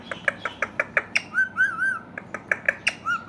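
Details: Indian ringneck parakeet squawking in a quick, evenly paced series of harsh notes, broken by a wavering whistled phrase in the middle and a short whistle at the end.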